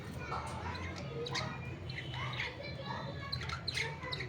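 Budgerigars chattering with quick, scratchy chirps and warbles over a low background hum.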